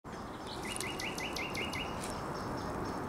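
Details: Common nightingale singing on a small cape on the Żerański Canal, 30 April 2021: a series of about seven quick, identical rising notes, sharp and slightly metallic, with fainter high notes above and steady background noise.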